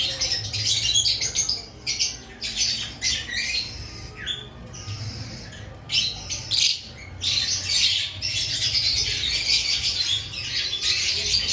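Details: Aviary lovebirds active before the breeding season, a flock giving continuous harsh, high squawking chatter in overlapping bursts, dense and noisy, with a faint low rumble in the background.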